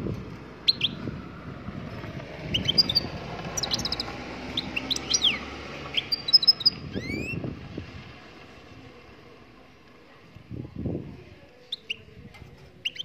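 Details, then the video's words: Moroccan goldfinch singing: scattered sharp high chirps and quick upward-sweeping whistled notes, loosely grouped and separated by pauses, against a constant low background rumble and occasional dull knocks. "Chardonneret marocaine chante"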